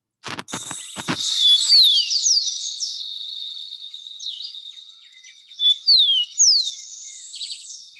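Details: In the Andes of Colombia, a Rufous-collared Sparrow sings high, clear slurred whistles that sweep downward, heard twice, over a steady high insect-like hum after a few opening clicks.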